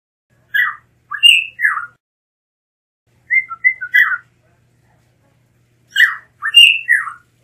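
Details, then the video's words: Blue mockingbird singing in short bursts of two to three whistled, slurred phrases, each burst separated by pauses of about two seconds; notes drop and rise, with a similar phrase pattern repeated. "Mulato Azul Canto - Blue Mockingbird Bird Song"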